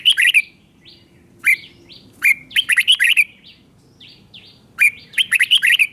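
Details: Song of a red-whiskered bulbul in the doubled style, for teaching young birds: loud, bright, bubbling phrases of quick rising and falling notes come in close succession, separated by short pauses and single slurred notes.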